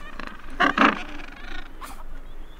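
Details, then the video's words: Gentoo penguin adult feeding two chicks: two loud, harsh, braying adult notes close together, then softer squeaky chick calls trailing off, over a low background rumble. "Two Chicks Being Fed. Calls Of Chick And Adult."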